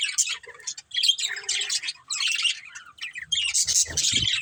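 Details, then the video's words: Budgerigars from a pet family flock chirp in busy, buzzy high bursts with squeaky whistles, ending in denser chatter over some low rumbling. "Cute Budgies Chirping Sounds"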